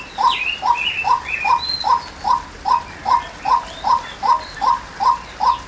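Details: Steady series of short, mid-pitched notes from a female white-breasted waterhen, about two and a half per second. Other birds give sliding whistles and chirps above it, especially early on.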